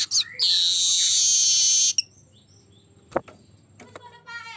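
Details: Golden-headed weaver singing hard, a lure recording: a brief chip, then a long loud sizzling wheeze lasting over a second. After a pause come a sharp knock, a few faint chips and a soft buzzy ending.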